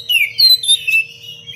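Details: Oriental magpie-robin singing in short bursts for training other birds: a few loud whistled notes sliding downward, each quickly followed by the next, with a faint hum beneath.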